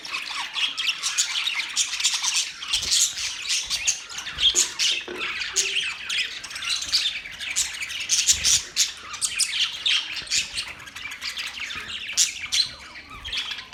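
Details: Several pet budgerigars in a newly set up cage chatter at length, a thick mix of shrill tweets, harsh squawks and warbling phrases that swells and eases without stopping.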